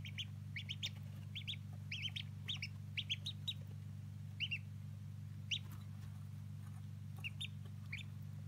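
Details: Day-old Old Polish ducklings peeping: thin, high, slightly rising peeps in quick clusters of two or three, repeated throughout over a steady low electrical hum.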